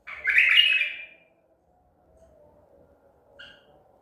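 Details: Baghdadi tur White-eared bulbul, trapped at Medical City, April 14, 2021, gives a single bright, slurred burst of warbling notes near the start, then near silence and one brief chirp, over a faint constant hum.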